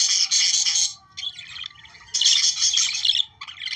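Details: Australian budgies warbling to prompt breeding: a loud burst of harsh chattering, a softer patch of scattered chirps, then another loud chattering burst and a final short flurry.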